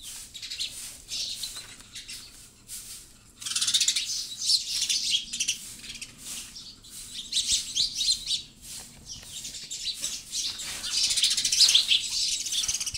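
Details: Several sparrows chirp in a jumbled, overlapping chorus of high, rapid tweets that swells and fades in waves, with a short quieter spell early on.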